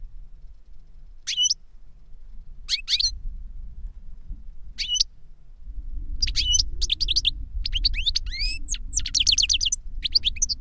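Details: An older goldfinch sings to instruct a younger goldfinch: scattered high chirps become a rapid run of twittering, rising and falling notes, with a soft low rumble behind.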